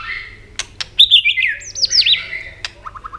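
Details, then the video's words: A white-rumped shama sings vigorously to stir subdued birds into singing, with sharp clicking snaps and a quick flourish of looping, rising and falling whistles. It closes on four soft, evenly spaced short notes. "kích chòe lửa hót cực sung.chòe lửa hót tạch liên tục kích thích chim ức chế"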